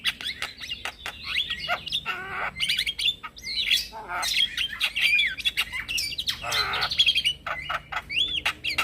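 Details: Male Javan myna calling to provoke replies from mynas and starlings; fast jumbled sequence of harsh rasps, clicks and wavering whistled phrases, steady energetic delivery throughout.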